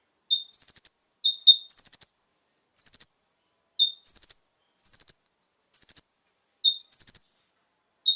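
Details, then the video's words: Brown-throated Sunbird (konin) singing, played to stimulate captive birds. A short lower whistle followed by a high buzzy trill, repeated about once a second in a steady pattern. "PANCINGAN suara burung KONIN agar langsung GACOR dan ikut NEMBAK FULL ISIAN"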